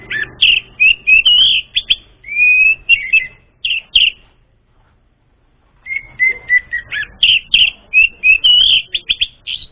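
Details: Orange-headed thrush song as a lure for an untrained bird: varied whistled and chirped phrases, some steady drawn-out tones, a pause of about two seconds, then another rich run of notes.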